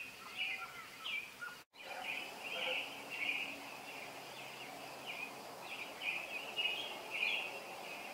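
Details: Robin singing in the early morning in summer, around 0430: a steady run of short warbled, whistled phrases, each rising and falling, with a brief dropout near the start and a soft background hiss.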